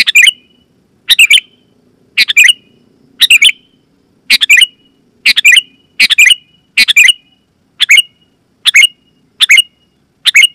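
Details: Sooty-headed bulbul giving a steady run of about fourteen loud, sharp, chattering bursts, many in quick pairs, used to call wild bulbuls and prompt caged birds to answer; a faint low hum underneath.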